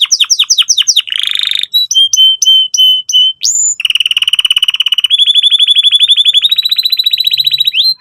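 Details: Canary lure song for young canaries learning to sing: quick descending chirps, a buzzy burst, repeated flat whistles, a rising sweep, then long rapid rattling trills stepping slightly upward in pitch.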